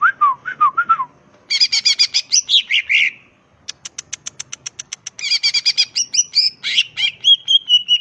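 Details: Wild greater green leafbird singing, a lure to provoke rivals into answering: low slurred whistles, then dense buzzy chatter, a run of rapid sharp ticks, and varied bright warbling ending in a sustained whistle.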